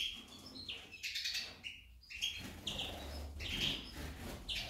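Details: Female goldfinch twittering in uneven phrases of high chirps and short slurred whistles, separated by brief pauses, over a low background hum.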